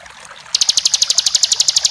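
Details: Bar-winged prinia, a champion bird with full song, giving a sudden run of sharp, rapid, evenly spaced ticking notes, about eight per second after half a second of quiet.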